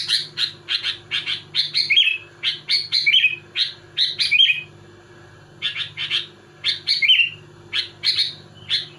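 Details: Sooty-headed bulbul singing vigorously in dense rapid volleys to pressure rivals and agitate other bulbuls: short chirpy notes repeated about once a second in bursts, some ending in bubbly warbled flourishes, over a steady low electrical hum.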